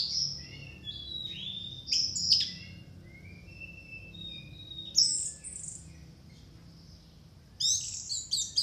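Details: Orange-headed thrush singing short, loud bursts of high, buzzy, scratchy notes mixed with thin whistles, separated by pauses of a few seconds and soft background hiss.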